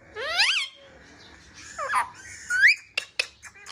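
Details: Parrot kept indoors and playing with a mobile phone makes squeaky, babbling voice-like sounds: a bright harmonic squeal, a pause, then upward-sweeping squeaks and short sharp clicks.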